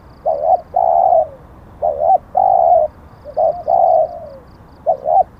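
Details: Spotted dove in Thailand, lured with a caged decoy, the captured bird bearing auspicious plumage marks. It gives low, steady coos in pairs and short runs, some ending in a falling slur, and repeats a phrase about every one and a half seconds. Faint high ticking sounds come and go.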